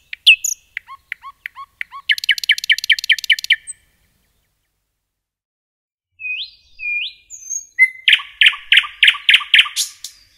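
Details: Singing nightingale in forest: clicking notes and a fast buzzy rattle, a pause of over two seconds, two rising whistles, then a loud rapid burst of repeated rich notes.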